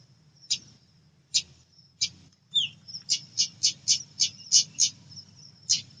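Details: Lure call of a female pied bushchat: scattered harsh high chips, then a rapid regular series of scratchy notes about four per second, one brief downslurred whistle, and a faint low background hum.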